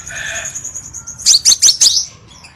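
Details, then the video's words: Crimson sunbird lure sound for cage-bird training: a soft thin sustained tone followed by four loud, sharply descending high chip notes in quick succession. "MASTERAN GACOR & PIKAT KOLIBRI SEPAH RAJA SUARA PANCINGAN"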